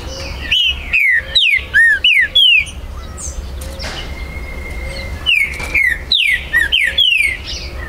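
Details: Captive Green-winged saltator in Brazil, recorded 19 September 2020, singing its territorial challenge song. Two bouts of loud, downward-slurred whistles are separated by a short pause, over a murmur of distant birdsong.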